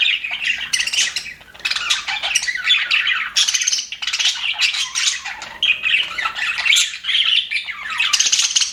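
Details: Budgerigars in an aviary, described as happy, chattering nonstop: dense warbling and chirping with scratchy squawks and rapid twittering notes overlapping from several birds.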